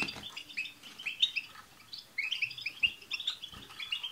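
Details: A goldfinch chorus aimed at prompting a pet European goldfinch to sing: quieter, buzzy twittering phrases with clear chirps repeated in loose runs over a faint hiss.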